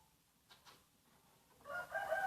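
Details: Aceh junglefowl on a bird-luring recording: faint taps and hiss, then a rising, raspy crow with layered harmonics swells loudly at the end.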